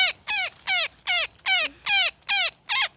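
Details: Netted woodpecker being rescued, uttering eight loud, harsh squawks, each dropping in pitch, spaced evenly about every third of a second.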